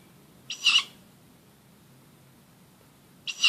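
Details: Tawny owl at night in an oak tree outside a house, close to midnight: two loud, rasping screech calls about three seconds apart, each under half a second, over quiet low hum.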